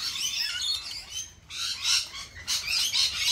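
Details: Lorikeet calls: dense, harsh, high-pitched screeching chatter in bursts, several birds calling over one another with brief pauses.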